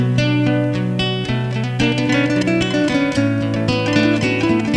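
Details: Strummed and plucked acoustic guitar music fills the whole stretch, with no animal voice audible.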